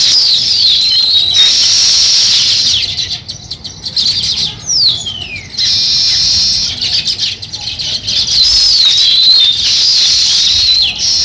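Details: High chirping from sparrows starting a nest: stretches of dense, bright twittering broken by quieter gaps, with a couple of thin descending whistled notes near the middle.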